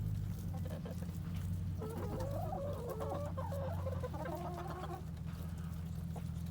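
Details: Chickens feeding on a pumpkin at an urban Colorado Springs farm make a run of rising and falling wavering clucks over about three seconds, set against a steady low hum.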